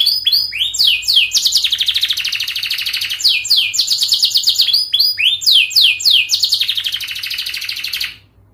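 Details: Training song for young canaries: a continuous fast, tightly packed canary song with three cycles, each opening with steep whistled sweeps and running into a shimmering high trill, ending abruptly.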